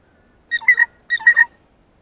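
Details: Blue jay, excited on seeing a ripe banana for the first time, calling at close range: two quick bursts of ringing, harmonic notes, each a cluster of three linked syllables, about half a second apart, in a quiet setting.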